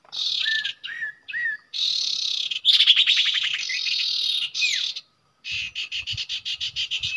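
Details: Common iora at a usual nesting site: repeated rising whistled notes, then a long harsh buzzy trill, a brief silence, and a quick series of rhythmic chattering chirps.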